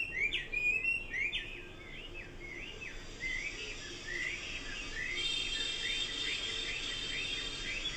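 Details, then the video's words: Chinese hwamei song: a run of rapid, looping whistled phrases repeated quickly, starting loud then settling into softer, even notes with a steady background hiss. "Kicau burung Hua Mei."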